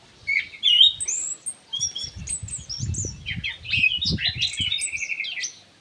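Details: Ground thrush kept in an aviary singing actively: a rich run of varied whistled notes and quick trills, high and shifting, with soft low thumps and rustling beneath.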